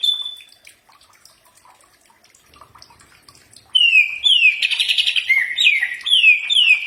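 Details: Training song of a greater green leafbird, which birds reliably answer. After nearly four quiet seconds, loud slurred whistles follow, each dropping in pitch and repeated in quick sequence.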